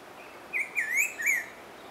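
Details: Black-throated grosbeak (Saltator fuliginosus) song: a loud phrase of three or four sweet whistled notes, slurred up and down, delivered quickly within about one second against quiet background hiss.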